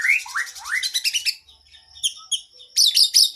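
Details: Oriental magpie-robin training song for caged birds, loud with long fill-ins. Three quick upward-sweeping whistles open the clip, followed by scratchy twitters, a short pause, then loud buzzy bursts.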